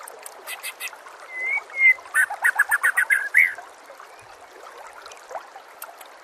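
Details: Training master song of a white-rumped shama: soft scattered chips, two clear rising whistles, then a loud rattling series of about nine short notes fading into quieter chatter.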